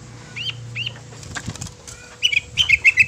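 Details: A long-tailed shrike song said to make other shrikes sing and grow agitated gives a few short, upslurred chirps, then a quick run of sharp, scratchy high notes, with soft clicks and a faint steady hum underneath.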